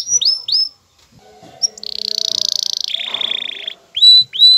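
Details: Male canary stirred up and courting a female into mating posture; three quick down-flicked whistles, a pause, then a buzzy rolling trill dropping to a lower tone and two clear rising whistles at the end.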